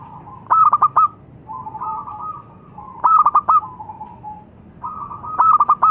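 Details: Zebra dove, local strain, repeating its song: three stuttered cooing phrases with softer trailing coos between them, mellow and mid-pitched, against a faint background hum.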